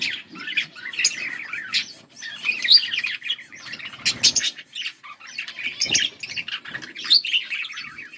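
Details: A pair of budgerigars, Australian parrots kept as pets, chattering continuously with dense overlapping chirps, warbles and short squawks, mostly high-pitched, with faint low rustling underneath.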